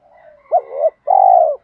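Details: Spotted dove call for training and luring doves: a faint low lead-in, a hooked coo with a drawn-out tail, then a sustained purring coo fading at the end.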